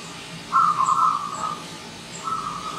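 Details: Wild zebra dove arriving as a visiting bird: a single rapid, rolling coo phrase of about a second, followed after a pause by the start of another softer trilled phrase, over quiet background hiss.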